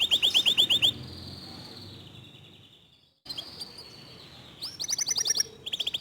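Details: Local canary singing in the fast, dense tembakan style: a quick run of high sharp repeated notes opens, then a faint drawn-out tone and a brief silence, before rapid bursts of ringing high notes return near the end.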